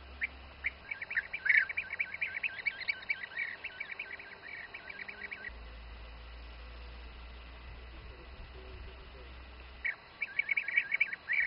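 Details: Bee-eaters feeding youngsters in the Přerov region, Czech Republic: rapid rolling trilled calls repeated in bursts for about four seconds, then a quiet gap with low hum, and more calls near the end.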